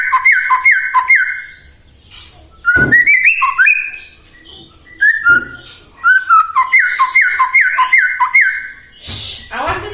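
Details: A white-rumped shama sings a lure song to stir other shamas into singing. Runs of quick downslurred whistles alternate with varied fluting phrases and brief pauses, ending in a harsh burst.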